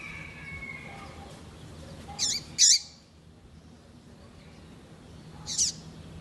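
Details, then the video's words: Captive female double-collared seedeater, a persistent caller kept by breeders, calling to warm up and stimulate a male. Three short, high, sharp notes, each ending in a curled inflection: two close together, then one after a pause. Faint steady background hum. "Fêmea de Coleiro piadeira Para Esquentar coleiro"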